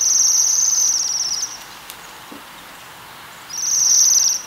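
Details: Two bursts of shrill metallic trilling from Waxwings feeding on rowan berries, one at the start and one near the end, with a quiet gap of about two seconds between them.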